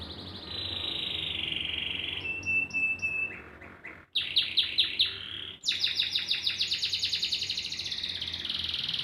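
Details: Canary in full, vigorous song: long sustained buzzy trills, a flat steady whistle, then rapid repeated high notes, over a low background hum.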